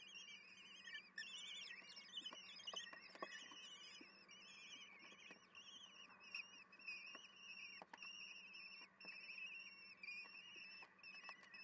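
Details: Wild common kestrel chicks at feeding time in the nest, 10 June 2022 at 18:30, picked up by a nest camera: continuous high, wavering whistled begging notes repeated rapidly, with scattered clicks and knocks and a steady low hum.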